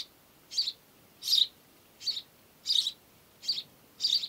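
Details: House sparrow calling with a run of six or seven sharp, slightly buzzy chirps, spaced irregularly about half a second to a second apart. Nothing else is heard against the quiet background.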